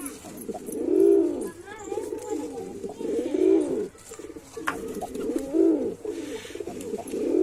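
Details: A white male pigeon gives deep, throaty rolling coos, each swelling and fading over about a second, repeated roughly every two and a half seconds in a small room.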